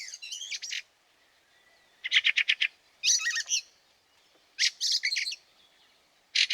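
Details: Fieldfare calling in snow at Liepāja, Latvia, in March 2023: loud harsh chattering bursts of rapid clicky notes, each lasting about half a second and repeated every one to two seconds.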